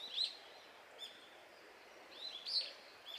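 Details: Calls of brown-eared bulbuls at a flowering cherry tree in Japan, feeding on nectar; a few loud, harsh, slurred notes, one near the start and a pair near the end, separated by quiet.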